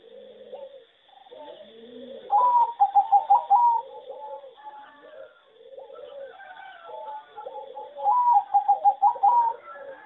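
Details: Farm-bred competition singing zebra doves, described as poor singers with a bad melody: two bursts of rapid, evenly pulsed cooing notes, each about one and a half seconds long, over softer low coos from other doves.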